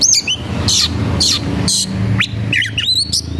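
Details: White-rumped shama singing with high emotion while seeking a rival to fight: loud whistled notes sliding between high and mid pitch, mixed with sharp rasping bursts, over a low steady hum.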